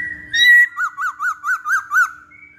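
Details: Masked laughingthrush song played as a training lure: a short rising whistle, then six evenly spaced arched whistled notes repeated about every quarter second, ending with a brief high whistle.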